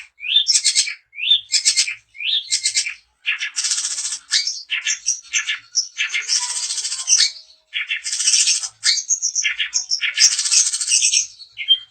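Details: Long-tailed shrike, daput type, whose song provokes rival shrikes to sing: loud harsh rasping bursts alternating with short chirped notes, phrases separated by brief silences roughly every second.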